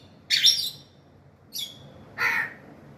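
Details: Grey parrot giving three harsh, broadband squawks: a long loud one, a shorter one, then a lower rasping one, with pauses between them, in a quiet indoor setting.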